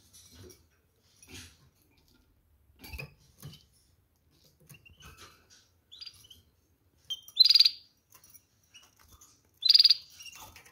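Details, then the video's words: Canaries, scattered soft ticks and chirps, then two loud bright bursts about two seconds apart near the end. "Canarini | Ascolta questo cinguettio"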